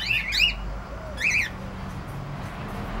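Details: Cockatiel calls: three loud arched, rising-then-falling chirps with rich harmonics, two close together near the start and one after a second's pause, over a low steady background hum.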